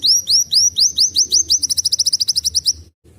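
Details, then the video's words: Sunbird singing canary-like phrases, a recording used for training young caged birds; loud upward-sweeping whistles repeated about five times a second, speeding into a rapid, even trill before a brief silence. "KOLIBRI WULUNG NAMBAK KENARI"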